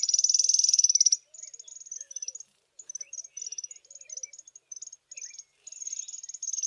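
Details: Small group of African firefinches sitting in the sun on a chilly morning: a loud, fast, high buzzy trill for about a second, then a scatter of short, thin, high notes and brief trills against a quiet background.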